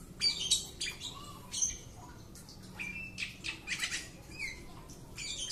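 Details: A home-kept Oriental magpie-robin under a courage test gives rapid bursts of scratchy notes, sharp high chirps and a few rising whistles, the phrases tumbling together over a faint steady background hum.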